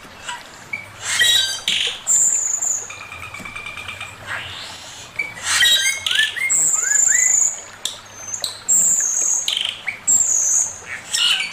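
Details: Male Chinese hwamei sings a varied master song, mixing loud harsh chatter, bursts of broad noisy notes, sustained high whistles and short runs of rising slurred whistles.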